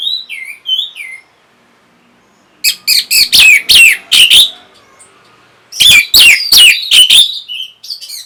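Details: An Orange-headed thrush sings to stimulate breeding condition and a reply: a few falling whistles, a pause, then two fast runs of loud sharp clipped notes and swooping whistles.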